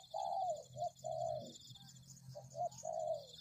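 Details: Spotted dove lure recording: soft hollow cooing in two phrases, each a long falling coo, a brief note and another drawn-out coo. Faint low rumble and a constant thin high whine sit behind.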